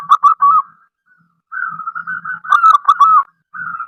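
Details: Local zebra dove, kept as an often-singing bird to draw other zebra doves into song. Quick stuttering coos, then a long run of smooth cooing that breaks into choppy pulses, ending in a short level coo. A faint low hum sits underneath.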